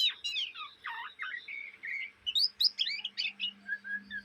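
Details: A young Oriental magpie-robin's chatter, day and night: rapid jumbled twittering with slurred whistles and quick chip notes, rising in pace toward the end, against a low constant hum.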